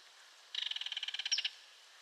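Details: Belted kingfisher call: a clattering rattle of rapid harsh clicks running for about one second, slightly intensifying near the end before it stops abruptly.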